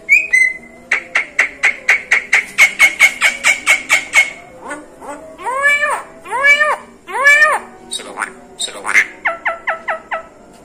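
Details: Mimicking Javan myna, said to copy other birds and human voices, repeating short clicking notes steadily, then rising whistled notes with rich overtones in evenly spaced series, then a quick burst of short paired notes, indoors.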